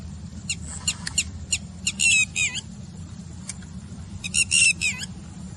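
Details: Red-wattled lapwing at the Manair dam water body in Karimnagar, giving its alarm call known as "did-he-do-it": sharp, high, piercing notes in quick clustered bursts, two main volleys separated by scattered single notes over a steady low rumble.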